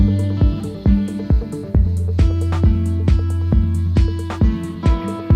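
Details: Electronic music with a steady beat, deep bass and repeated percussive hits, and no animal voices.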